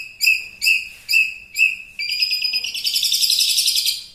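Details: Long-tailed shrike, an active champion singer recorded as tutoring material: four spaced ringing notes with rich overtones, then a dense, fast buzzy chatter that runs to the end.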